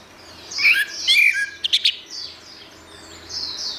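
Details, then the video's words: Orange-headed thrush song used as a master recording for training songbirds: a few bright, high chirping and twittering notes in short bursts, with softer high slurred notes fading in the background. "Ocehan Suara Burung Anis Merah"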